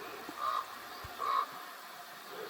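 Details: Young common raven, noisy and sounding unlike a crow, near crops just after a brief storm of wind and rain, gives two hoarse, nasal calls about a second apart, each a short level croak, over a steady hiss.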